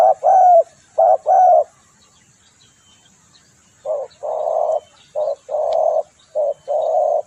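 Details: Lure recording of a spotted dove: two paired coos, a pause of about two seconds, then a run of short and longer hollow coo notes, clear against a quiet background.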